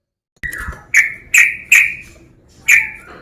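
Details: Male sooty-headed bulbul challenging a rival: five loud, clipped chirps, each starting with a sharp click and trailing off in a brief downward slur, the first four in quick succession, then a short pause.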